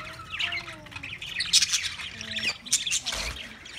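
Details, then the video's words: Budgerigars chattering in dense, scratchy high warbles and squawks, with overlapping calls throughout and lower smooth tonal notes in the background. "Wildlife Budgies Birds Nature Sounds"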